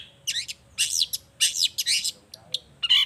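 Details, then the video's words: Long-tailed shrike singing energetically, a lure song meant to prompt other shrikes to answer: harsh, buzzy, downward-sweeping bursts in quick clusters, then a few short sharp chips and a final rasping note. "Cendet Gacor Efektif Pagi Siang Sore Rajanya Bikin Cendet Lainya Spontan Nyaut Bunyi Penuh Emosi"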